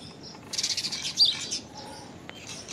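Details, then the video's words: Common myna, an open woodland bird native to Asia that thrives in towns, giving a brief burst of rapid, harsh chattering notes followed by a sharp whistled note, then quiet background. "Common Myna Unusual Call! Common Myna Song! Common Myna Sound! Common Mynah Call! Song! Sound!"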